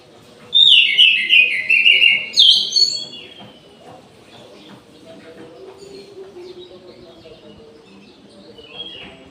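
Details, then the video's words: Caged orange-headed thrush at midday giving one loud, tumbling phrase of slurred, descending whistles. Quieter scattered notes follow, and a constant low hum runs in the background. "ANIS MERAH GACOR DI SIANG HARI"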